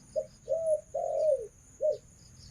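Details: Female Spotted Dove kept as a decoy bird cooing: a short low coo, a longer one, then a long drawn coo that bends downward, closing with one brief coo, over a faint steady hum.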